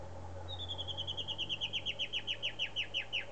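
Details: White-bellied antbird in Morrocoy National Park, Venezuela: a long run of about eighteen clear, downslurred whistled notes that start thin and high, then slow slightly and grow louder and fuller, over a steady low hum.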